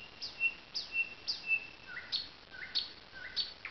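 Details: Thrush nightingale singing by a lake among alders at Zawady Oleckie, Poland: clear high whistled notes repeated about twice a second, then lower, flatter whistles alternating with short sharp notes.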